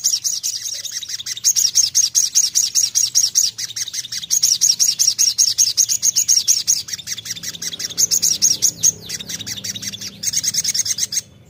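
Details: Crimson sunbird delivering a long, sustained run of fast, high, tinny notes repeated several times a second for over ten seconds, slightly uneven in rhythm, with a soft low hum beneath.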